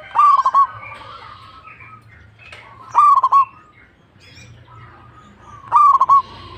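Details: Local zebra dove singing vigorously. Three rolling coo phrases arrive at even intervals of roughly three seconds, each a sharp start followed by rapid stuttering notes, with faint bird chirps in the background.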